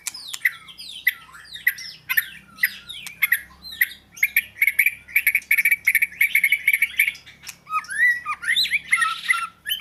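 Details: Oriental magpie-robin singing a varied, continuous song of whistled notes and slurred phrases, with a fast run of repeated bright notes in the middle and buzzy trills near the end.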